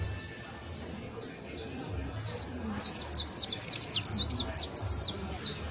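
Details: Professional song of a saffron finch (canario criollo): thin, high downslurred chirps that start scattered and speed into a dense rapid burst in the second half, with low hum underneath.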